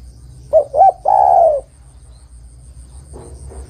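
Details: Spotted dove, a female calling the male: one phrase of two quick coos and a long falling croon, followed by silence and a short rustling noise at the end.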